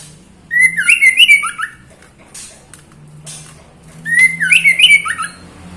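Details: Female white-rumped shama calling a male: two bursts of rich, tangled whistles and squeaky notes about three seconds apart, each roughly a second long, with clicks between them and low background hum.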